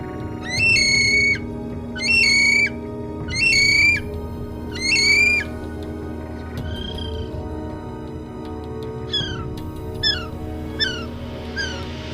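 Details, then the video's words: Kiwi, a nocturnal bird active at night in New Zealand, giving four loud whistled notes with sharply rising starts about every 1.3 seconds, then a run of short descending whistles, over steady background music. "যেহেতু এরা নিশাচর তাই এদের চলাচল এবং অ্যাক্টিভিটি মূলত রাতেই থাকে এবং সাধারণত এরা খুব মিষ্টি এবং মধুর শব্দ তৈরি [মিউজিক] করে"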